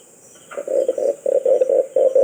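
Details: Red collared dove calling: a rolling series of about eight low, throaty cooing pulses packed into under two seconds, delivered almost without gaps, over a steady high hiss in the background.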